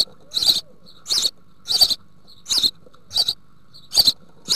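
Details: House sparrow family at a nest box in the Altmark, Germany, 16 June 2019, with young close to fledging being fed large green bush-crickets; chirps in short bright bursts, about one every 0.7 seconds, over a faint hum.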